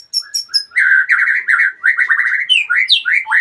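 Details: Magpie-robin, a retired contest champion, sings a fast run of rich, warbled phrases after three high, thin opening notes, ending in sweeping up-and-down whistles.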